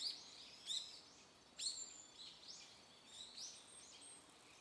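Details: Small birds calling in a mountain-stream garden in Japan; a few thin, high chirps and sharp downward-sweeping notes spaced irregularly over a second or so, set against a steady soft hiss.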